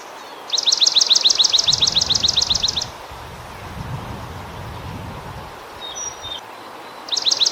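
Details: Swamp sparrow song: a steady trill of about seventeen bright, two-part chirps repeated quickly for two seconds, then a pause with faint distant calls and low background rumble, and the trill starting again at the end.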